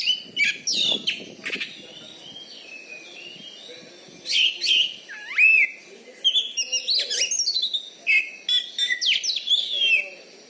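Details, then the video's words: Contest Oriental magpie-robin in Bengkulu, Indonesia, a caged bird noted for loud voice and fighting style: rich mix of clear rising whistles, rapid chirps and buzzy notes in bursts of one to two seconds, with faint murmuring in the background. "BURUNG KACER JUARA DI BENGKULU"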